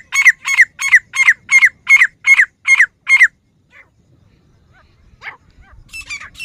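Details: Female grey francolin gives a rapid string of sharp, harsh repeated notes, about three per second for three seconds, followed by silence broken by a few faint scattered notes.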